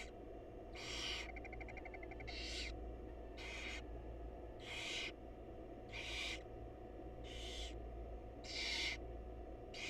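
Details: Wild barn owl chicks in a monitored nest box as their mother feeds them: broad, raspy hissing screeches repeated roughly every 1.2 seconds, each burst about half a second long, over a steady low hum.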